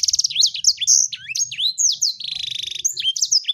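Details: Lively sanger bird song opening with a buzzy rattle, then sharp swooping whistles and a long fast trill of repeated notes, very high and rapid, over a soft low hum.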